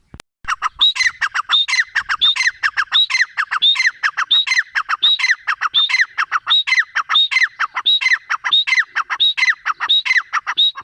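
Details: Grey francolin giving a long loud run of rhythmic, strident phrases: a sharp high whistle then several falling harsh notes, repeated steadily about every 0.7 seconds with no other sounds.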